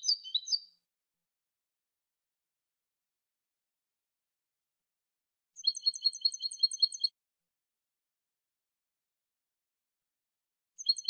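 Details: European goldfinch cante from a new song CD: a short liquid twitter, a long pause, then a bright, jingling series of quick repeated notes, and the start of another phrase at the end.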